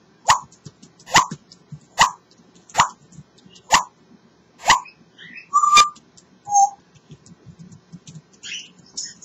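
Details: African grey parrot kept as a pet, talking away happily: a steady series of hollow popping clicks a little under once a second, then a clear whistled note and several short squeaky chirps.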